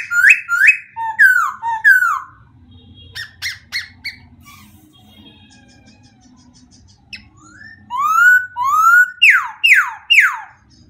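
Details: White-crested laughingthrush: bursts of loud downslurred whistles and squawky notes, a quieter middle stretch with faint chatter, then a fresh series of strong swooping whistles repeated about twice a second.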